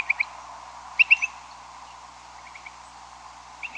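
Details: A big group of Upland Sandpipers calls in night migration flight over a house around 2 a.m. on 13 May. Short, clear, high notes come in quick pairs and triplets, distant, then loud overhead, then fading, over steady hiss.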